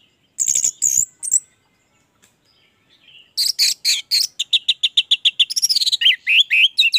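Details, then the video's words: Orange-headed thrush in full song, used as a lure to spur other thrushes into singing: high sharp whistles and chirps, a pause, then a fast run of clipped, varied notes about three per second with rising and falling whistled slurs. "Anis merah gacor, pancingan Anis merah agar cepat gacor"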